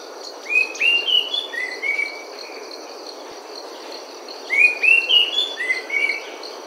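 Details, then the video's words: An orange-headed thrush in Thailand gives two phrases of clear, varied whistled notes, rising and falling, over a steady high insect drone. "The Orange Headed Thrush"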